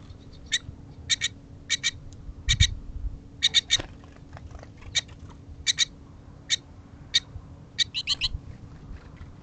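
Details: Early morning goldfinch gathering with chatter: steady, sharp, high chirps, often in pairs or triplets, sounding about every half second throughout, over a faint low hum.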